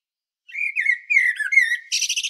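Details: Mellow, fluty blackbird song near Zagreb, Croatia: a run of low whistled notes gliding downward, closing with a harsh chattering trill.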